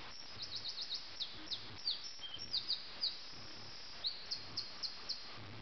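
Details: Common nightingale singing in Sussex at 4 a.m. on 30 June 2010, a lower-quality recording: scattered high, thin descending notes and short slurred phrases, some grouped in quick runs, over a steady background hiss and low rumble.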